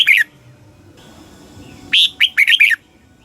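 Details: Thai red-whiskered bulbul singing southern-style master song used to stimulate caged birds: the tail of one phrase, a pause, then a brisk run of five bright, slurred whistled notes.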